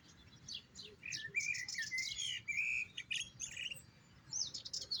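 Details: Goldfinch song in fast twittering phrases that mix sharp chirps with clear liquid slurred notes, repeated in quick bursts over a soft low rumble.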